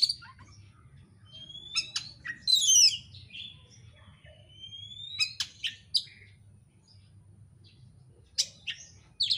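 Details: Oriental magpie-robin song used to provoke another bird to sing: scattered sharp chips and chatters, then a long clear whistle sliding down and rising again, later more abrupt notes, with a soft low hum and faint voice.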